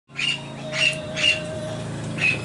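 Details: A wild sulphur-crested cockatoo visiting a garden in Nerang, March 2015, gives four harsh, raspy screeches at uneven intervals, impatiently chatting and demanding food, over a low steady hum.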